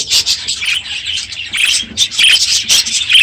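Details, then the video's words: Aviary of budgerigars, very noisy this morning at the end of the breeding season with the most birds present; dense high chirping and chattering from many birds overlapping, loud bursts every fraction of a second. "My Budgies Today - NOISY birds this morning!"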